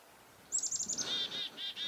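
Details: At Reedfly Farm in February 2021, a chickadee sounds the alarm over a nearby goshawk: a quick run of piercing high notes slides into drawn-out, rasping dee-dee-dee notes.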